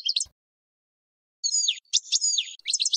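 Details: European goldfinch song for training other birds, with buzzy, nasal drawn notes and sharp twittering chips in quick bursts, high-pitched, with a brief click near the start.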